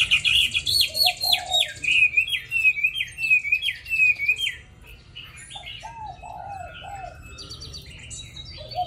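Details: Caged Hwamei praised as a tireless singer with a pure wild voice, pouring out a fast string of loud descending whistles for several seconds, then quieter mellow notes and distant twitters.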